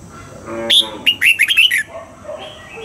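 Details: Red-whiskered bulbul singing its double-note wild-style morning song for training: a sharp whistled note, then a tumbling series of five quick rising and falling whistles, with soft lower chirps at either end.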